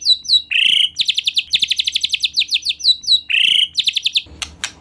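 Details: White-rumped shama (murai batu) in full lure song meant to make an untrained shama sing: high sweet whistles, then a long downslurred whistle and a fast run of about four bright chopped notes per second, ending with faint clicks.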